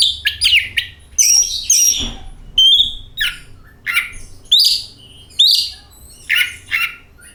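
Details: Lively oriental magpie-robin singing, used as a lure: rapid sequences of sweet whistles, downslurs and grating notes in quick phrases, with a low steady hum beneath.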